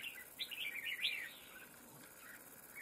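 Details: Red-whiskered bulbul at a bird trap, a wild-caught bird: a short, slurred, warbling phrase of bright notes that rises and falls, then a few softer notes over steady background hiss.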